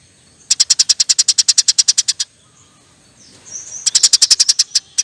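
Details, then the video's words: Long 'nyerecet' chattering song of a Eurasian tree sparrow: a steady string of about twenty fast, sharp high chips, a pause, then another rapid run. "NYERECETTT PANJANG, KICAU BURUNG GEREJA GACOR"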